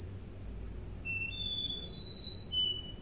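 A Russian canary sings long, pure whistled notes, each held about half a second and stepping between high pitches, over a faint low room hum.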